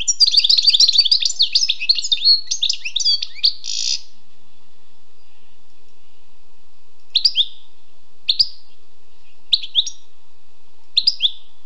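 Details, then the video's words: A wild European goldfinch sings four seconds of dense, rapid twittering ending in a buzzy burst, then goes quiet apart from four single sharp high notes spaced about a second apart. "Écoutez et appréciez le doux chant du chardonneret sauvage"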